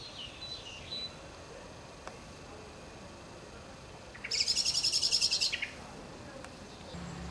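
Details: Great tits, a family nesting in an engine's water jacket space and a nest box at an engine museum after the weather improved, before fledging, give a sudden burst of about a dozen rapid, high, scratchy notes over hiss with faint distant chirps.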